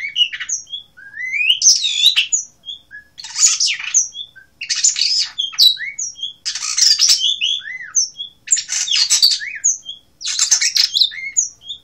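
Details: Blue rock thrush, Asia, singing a lively, varied song of short bursts: chattering high notes mixed with rising whistled slurs, grouped into phrases about every one to two seconds with brief pauses.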